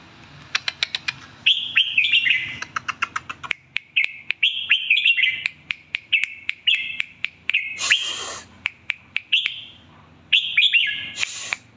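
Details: Red-whiskered bulbul repeating lively warbled phrases again and again, with rapid series of sharp clicks between them and one brief loud rushing noise partway through.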